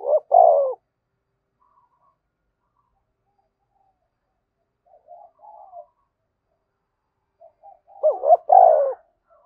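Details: Caged-style lure cooing of a spotted dove, called thúc bổi, to provoke wild doves. Two full phrases eight seconds apart, each a brief wavering pair and a falling coo, with faint low mutters between.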